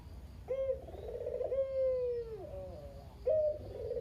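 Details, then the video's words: Caged local Barbary dove, used to coax silent doves into calling, gives a kugeru coo: a clear starting note, a rolling trill, then a long, soft, descending tone, with a second phrase starting at the end. "Burung Puter Lokal (kugeru) gacor abis // Pancingan burung puter lain biar bunyi"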